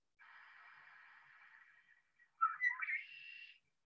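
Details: A male Red-winged Blackbird in spring gives a long raspy hiss, then a few sharp clicking notes that run into a buzzy, rolling trill, the familiar raspy conk-la-ree.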